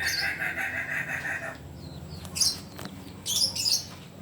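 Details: Biriang kuniang Kukuak Balenggek chicken from Solok, West Sumatra. A steady, buzzy, harmonic crow note is held for about one and a half seconds, then breaks off. Short high chirps from other small birds follow.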